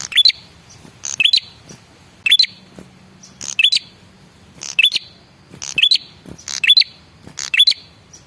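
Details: Lure call from a male red-headed prinia: short bursts of buzzy chips and a quick upward whistle, coming about once a second, sometimes in close pairs.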